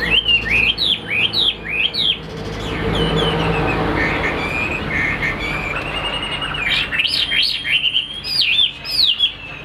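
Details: Chinese hwamei kept as a cage bird delivers sharp upward-flicking whistles in the first two seconds, pauses amid a hissing background, then resumes with louder ringing slurred notes climbing high near the end.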